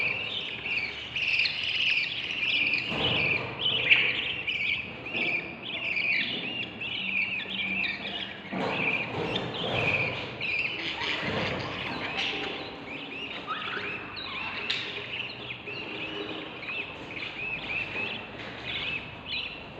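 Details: Hungry budgerigar chicks, about 22 days on, inside a nest box give a continuous stream of high, scratchy, chirping begging calls for food.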